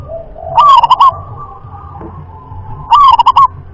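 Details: Rhythm-class song of a local wild zebra dove, a style sought after by keepers: two brief cooing phrases about 2.3 seconds apart. Each opens with a rising note followed by quick clipped pulses. Faint distant bird notes lie between.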